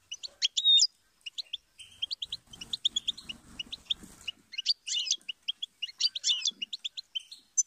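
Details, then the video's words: Goldfinch singing: rapid, high, rhythmic chips mixed with bursts of dense, buzzy twittering and some liquid, slurred notes. A faint low rumble sits underneath around the middle. "inspiring Goldfinch Chirps And Sing"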